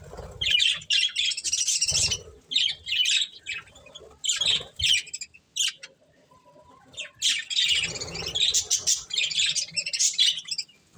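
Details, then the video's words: Several budgerigars eating corn chirp and squawk in loud, scratchy bursts, breaking off for a quiet moment midway before the busy chatter resumes over soft low bumps. "Cute Budgies Enjoying Eating Corn | Love Birds Chirping Sounds"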